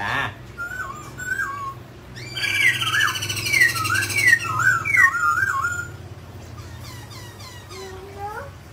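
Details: Mutant grey laughingthrush singing while dancing: soft wavering whistles, then a loud burst of rich, looping whistled phrases with buzzy overtones, fading into short high notes and a low rising whistle.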